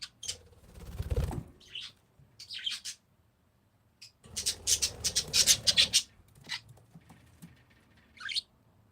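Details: Captive parakeets letting out a loud run of rapid harsh squawks and chatter, with a low thump near the start and quieter chirps between bursts.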